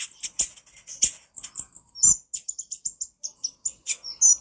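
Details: Konin in full gacor nyrecet song, a training master: very high, fast, evenly repeated chips forming a steady stuttering chatter, with a short harsher burst midway.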